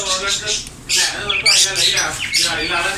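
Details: Green ring-necked parakeet talking in its natural voice: a short series of speech-like harmonic syllables, a rising squawk in the middle, then more wavering, word-like notes.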